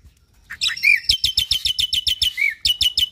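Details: Cage-kept cross of Nias hill myna and Asian pied starling giving a phrase from its varied repertoire: rapid, evenly spaced high chips, roughly ten a second, broken by two short slurred whistles.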